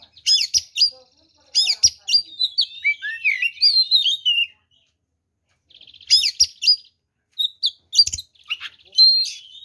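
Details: Oriental magpie-robin singing a rich fighting song that provokes other magpie-robins: sharp chirp bursts followed by a tumbling run of whistled slurs, a pause, then a soft buzzy trill and further chirps and whistles.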